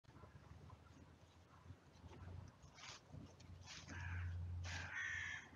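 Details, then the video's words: Carrion crows at a cemetery caw harshly in short repeated bursts over a low hum while chasing off a buzzard that stole their food. The calls are 'outrage' and 'aerial predator' calls, then 'swearing'. "Outraged Crows Drive off the Buzzard"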